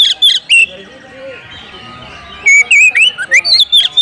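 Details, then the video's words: Oriental magpie-robin calling to provoke a rival into a fight. A few loud whistled notes come first, then a quiet pause of nearly two seconds, then a quick burst of bright swooping and rising whistles. "panggilan kacer mencari lawan tarung biar tambah ngotot buka ekor bongkar materi full emosi"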